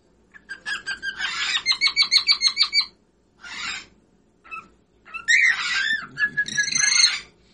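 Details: A whiteface pearl cockatiel sings a fast series of repeated chirping notes, a short rough squawk, then loud warbled phrases with high whistled tones near the end.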